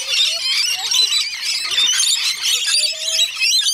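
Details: A crowd of Rainbow Lorikeets at a feeding session at Bungalow Bay Koala Village, Magnetic Island, Queensland, Australia, gives a dense, unbroken wall of shrill screeches and chattering squeals, with a few lower whistled notes beneath.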